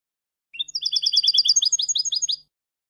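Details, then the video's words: European goldfinch song phrase for teaching chicks: an opening rising note, then a fast steady series of bright twittered syllables that changes pattern halfway through, about two seconds long. "موسوعة الحسون العالمية (9) chants des chardonnerets du monde (9) goldfinch songs"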